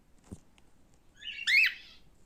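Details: Male cockatiel kept as a pet giving a single loud squawking call: a short buzzy rising-then-falling screech lasting about a quarter second, preceded by a faint soft note and a low thump in a quiet room.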